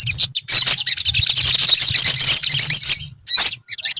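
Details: Olive-backed sunbirds singing together as a colony: an unbroken, hissy stream of very high rapid twitters for about three seconds, then a short gap and a final bright, looping whistled phrase.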